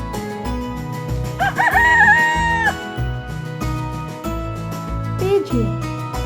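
A rooster gives one drawn-out crow that rises, holds and drops away, over a steady bed of background music.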